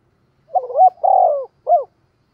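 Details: Single phrase from a spotted dove cooing to provoke wild birds: a short stuttered opening, a long sustained descending coo, then a clipped final note, all in clear silence.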